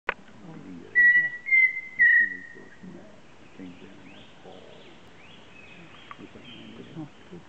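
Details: A Pheasant Cuckoo on Pipeline Road gives three clear, pure whistles about half a second apart, the last one drawn out and sliding down, with low murmuring voices underneath.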